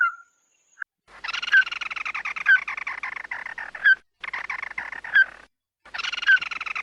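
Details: Red-eyed bird calling its flock, a recording used as a lure: a short whistled note, then long harsh, rapidly pulsed chattering bursts with a sharp rising squeak every second or so, and brief silent gaps between bursts.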